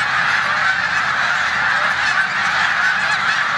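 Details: Snow geese stopping over in a corn field on Olmstead Road, Savannah, New York, in mid-March 2020, Canada geese present; a constant clamour of many overlapping nasal honks, without a pause.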